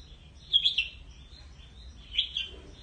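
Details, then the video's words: Red-whiskered bulbul calling to gather its flock, giving two brief, warbled chirping phrases about one and a half seconds apart. The phrases are softer and slightly husky, over a quiet low hum. "chào mào gọi bầy"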